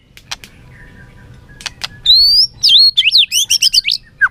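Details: Competitive song of a white-rumped shama with tail flicking: faint clicks, then a long high rising whistle followed by a quick string of sweeping, slurred notes and a final descending note.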